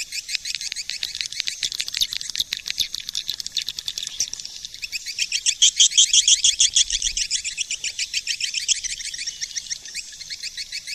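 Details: Swiftlet lure call: a dense, rapid stream of high, sharp chirps, about three per second, overlapping in a shimmering chatter that swells in loudness midway through.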